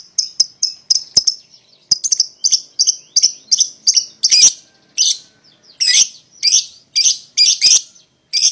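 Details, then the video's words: A pair of young (paud) lovebirds meant to call a rival into song: steady repeated sharp high chirps, several per second, turning into rougher harsh squawks in the second half. "PASANGAN LOVEBIRD PAUD,!Pancingan Memanggil Lawan Agar Ikutan Bunyi"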